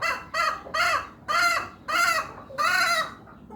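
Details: Hen making an odd, unusual call: six loud, arched, harmonic-rich notes, each about a third of a second, repeated roughly every half second with short gaps between.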